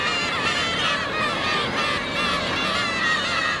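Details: Begging for fish in Otaru, Japan, a crowd of black-tailed gulls gives loud, overlapping, wavering mewing cries, several birds calling at once with no pause, over steady background noise.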